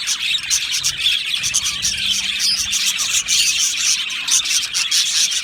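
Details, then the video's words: Australian budgies in an aviary colony singing and chirping: a dense, continuous wash of high twittering and chirps from many birds at once, with no pauses, over a faint low hum. "Budgie singing and chirping sounds"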